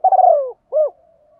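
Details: Decoy spotted dove in forest calling wild doves: the tail of a phrase, a long burred descending roll followed by one short rounded coo, then a faint trailing hum.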